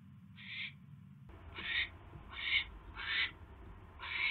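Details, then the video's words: Owl at the nest during an evening mouse delivery, recorded by a nest camera on 29 January: harsh, raspy hissing screeches about a third of a second long, repeated roughly twice a second, over a low steady rumble. "Mouse Delivery/8:49PM Mouse Delivery!"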